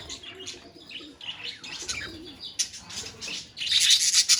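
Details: Budgerigar colony calls: scattered soft chirps at first, then a loud burst of shrill, rapid twittering from several birds near the end.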